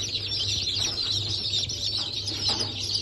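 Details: Freshly hatched Brahma, Sultan, Sussex and Wyandotte chicks, hatched 28 January 2024, peeping together in a loud, unbroken mass of shrill overlapping calls above a faint steady hum.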